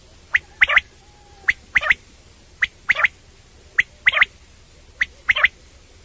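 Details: Common quail (batair) night call: clean, regular series of sharp whistled phrases, each a single note then a fast double note, repeated roughly every second over a quiet background.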